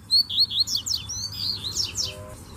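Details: Several male Double-collared seedeaters singing while a female crouches in mating invitation; fast whistled phrases of short high slurred notes, then rapid steep downslurred trills, over a low steady hum.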